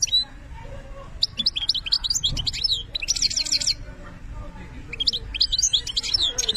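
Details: Clear benna-style song of an Algerian European goldfinch: three bright bursts of rapid, high, tinkling twitters and buzzy trills separated by short pauses, with only faint low background noise.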